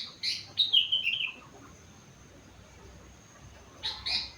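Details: Sooty-headed bulbul, four months old, singing imitations of rengganis and cucak wilis: a burst of sharp high chirps sliding into falling whistled notes, a pause, then another quick chirpy flourish.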